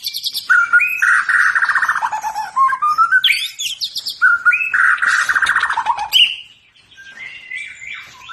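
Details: White-rumped shama singing in its fighting style when provoked by a rival, rough rolling and rapid-fire delivery: rich buzzy rolled phrases near mid pitch alternating with sharp high whistles and rising slurs, phrases repeating quickly over eight seconds.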